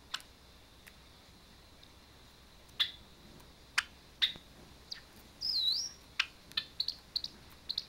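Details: A pet Java sparrow reacting to a video of another Java sparrow singing played on a phone gives sharp, high chipping notes at irregular intervals, with one brief wavering whistle midway, in a quiet room.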